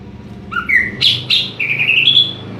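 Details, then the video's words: Greater green leafbird singing ngeplong: rising whistled notes stepping upward, two bright sharp notes, then a long sweeping whistle climbing in pitch, with low background hum. "Burung cucak ijo NGEPLONG2.."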